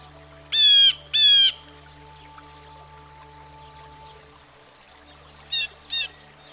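Blue Jay giving harsh, nasal jay calls: two loud paired screams, then a quieter pair a few seconds later, over a steady low hum.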